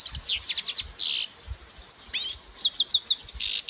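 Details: Lively, high goldfinch twittering: quick downslurred chirps, a short buzzy note, then a rising slurred whistle and more rapid tinkling notes ending in a buzz.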